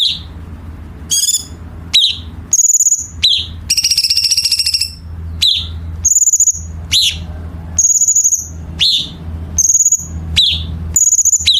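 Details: Chinese bulbul training song for competition songbirds with sharp, dense harsh fillers: high whistled notes that slur downward, repeated about every second, broken by a buzzy pulsed rattle and short high trills, over a faint low hum.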